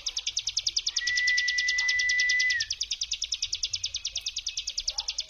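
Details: Bar-winged prinia 'brem' trill used as a lure to provoke other prinias into answering: a rapid, high, buzzy pulsed trill running throughout, interrupted mid-clip by a long, steady, pure whistled tone that ends in a slight downward slide.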